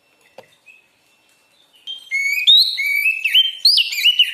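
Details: Oriental magpie-robin (kacer) in energetic training song; near silence with a faint thin whistle, then from about two seconds a loud burst of quick, varied whistles rising and falling in rapid succession.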